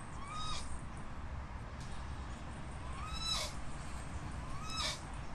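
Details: Crested guan repeating slurred, arching yelps with short harsh broadband crackles, three calls spread over five seconds above a rumbling background.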